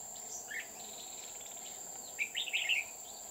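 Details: Decoy red-whiskered bulbul while trapping at An Phu mountain near Huong pagoda, 20 October 2019; a faint note early, then a lively burst of bubbly warbled notes toward the end, under a steady high-pitched insect drone.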